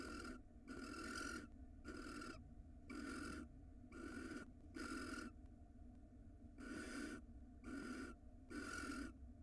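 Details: Barn owl pair at a nest-box camera in Israel, male bringing the female large prey: harsh broadband hissing bursts repeated about once a second over steady background noise.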